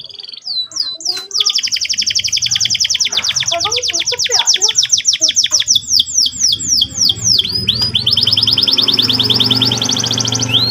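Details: Morning canary song, used as a lure to train young birds toward ngeriwik and ngerol styles: long fast rolling trills of sweeping whistled notes, changing pace several times, with a faint low hum beneath.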